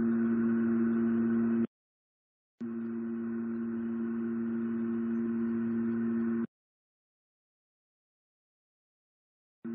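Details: Constant droning hum broken by abrupt silent gaps, one long near the end, with nothing animal in it.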